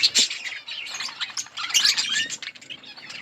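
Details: A budgie colony fills the air with a rapid, overlapping jumble of high, squeaky chirps and warbles that never pause.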